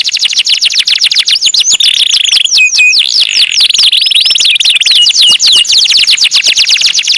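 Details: Canary singing in a loud, continuous run of fast, high trills and sweeping whistled notes. Rapid repeated chips mix with rising and falling slurs, and brief sustained tones run through the song without pause.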